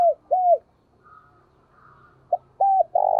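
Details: Spotted dove used as a decoy cooing in the thúc and gáy gọi calling style: low, arched, rounded hoots, two at the start, then a short clipped note leading into two more drawn-out coos.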